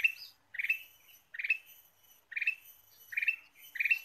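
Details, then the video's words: Ruby-throated bulbul song played as a lure. Six quick chirpy, bubbling phrases come at roughly even intervals, each a tight cluster of bright notes with a slight upward lilt. "PIKAT KUTILANG EMAS GACOR"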